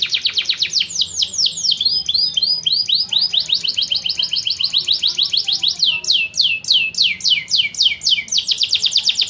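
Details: Canary singing a long, fast, varied song: rapid repeated high sweeping notes and trills, roughly 220 per minute, shifting between phrase types without pause; faint low hum beneath.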